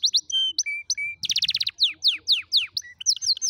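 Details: Canary song for teaching canary chicks: varied clear notes and short flat whistles, a burst of very fast stacked notes, then a series of loud falling whistles ending in quick bright notes.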